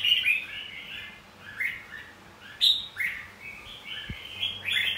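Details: Red-whiskered bulbul fighting song meant to stimulate rival singing: bright, bubbling whistled phrases in quick succession, slurred up and down, with one low thump midway.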